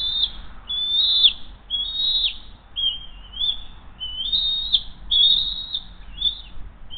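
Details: Bald eagle mother at the Hays nest feeding the eaglet after bringing a second fish, 7:43 am, 20 June 2023: repeated high, thin whistled calls, several sliding upward then breaking downward, nearly continuous for seven seconds over low background noise.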